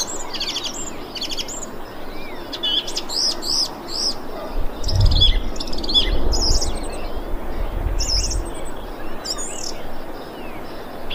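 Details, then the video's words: Thrush calling, 25 February 2021: clusters of sharp, high, ringing notes and quick slurred phrases in the first half, thinning out later, with a low rumble in the middle. "Thrush bird calling"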